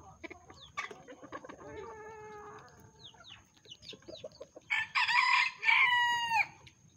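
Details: Lavender Self Blue Old English Game Bantam chickens out in the rain in the morning during Tropical Storm Beta, after a flood. Scattered clucks and short harmonic calls, a rising drawn note, then loud, harsh, drawn-out squawking calls near the end. A steady high tone runs throughout.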